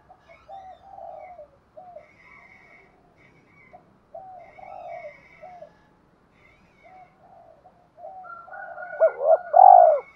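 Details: Spotted dove coos used to stir wild doves and train decoy birds: soft, low hooting notes through most of the stretch, rising to a loud, full coo near the end, with faint higher chirps above.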